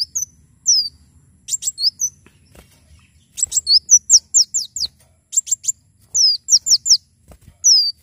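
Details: Javan sunbird in full song, used to tutor and stimulate other birds: very high downslurred whistles given in fast series of three to five, mixed with crisp chip bursts, repeated across the clip; faint low hum.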